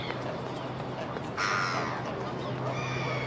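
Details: A Grey Heron on a boathouse roof natters uneasily, one harsh rasping croak then a fainter second call over a steady low hum, because a pair of herons sits at the other end of the ridge; it moves away.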